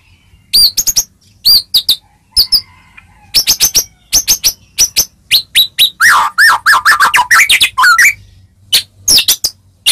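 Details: White-rumped shama song used to prompt other shamas to answer: loud, clear whistled notes and sharp chirps in quick bursts, with a run of slurred rising-and-falling whistles in the middle, then more staccato phrases.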